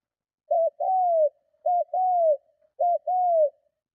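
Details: Spotted dove cooing forcefully to lure and provoke other doves: three quick phrases in a row, each a short clipped note then a longer, smoothly falling coo, roughly one phrase per second.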